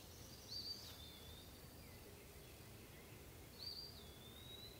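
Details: Eastern wood pewee song, two clear whistled phrases about three seconds apart, each a sharp high note dropping into a long, smoothly falling slur, with soft hiss and faint low rumble behind.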